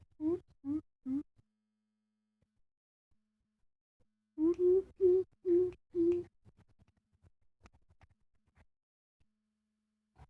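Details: Young coucal about six months old, still learning to call: deep hollow hooting notes, three quick hoots followed by a burst of five, then faint low rustling.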